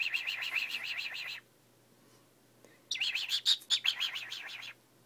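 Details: Early in the morning a cockatiel makes strange sounds its owner had never heard from it before: rapid, wavering chirps in two bursts separated by a brief pause.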